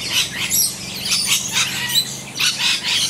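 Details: Rainbow lorikeets feeding on bottlebrush flowers in a back yard in Australia give a run of harsh, shrill screeches and scratchy chatter, several bursts each second, over a faint low hum.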